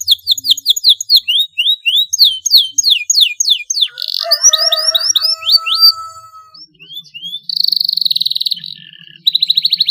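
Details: Young canary still learning, beginning long rolls: rapid downslurred whistles, a buzzy chattering section with a steady tone, scattered chirps, then quick trilled bursts.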